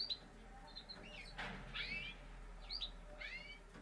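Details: Parisian Frill canary, a frilled domestic canary breed. A few sharp, ringing chirps come in two loose bursts with small high notes between them. A soft rustle sounds in the middle, with a faint background hum.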